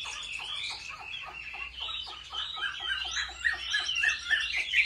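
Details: Chinese hwamei singing competitively during home training, a dense, rapid stream of rich warbled notes, fast repeated units stacked with higher whistles that swell in loudness in the last seconds.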